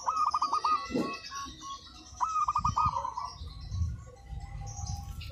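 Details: Local zebra dove calling without pause: two runs of quick, rolling pulsed coos. Other faint chirps, higher bird notes and low background thumps and noise are also heard.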